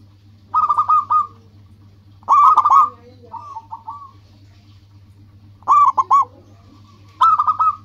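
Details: Zebra dove, a local perkutut with lively song that rivals answer. Four loud, stuttering coo phrases come a couple of seconds apart, with a softer run of notes between them, over a constant low hum.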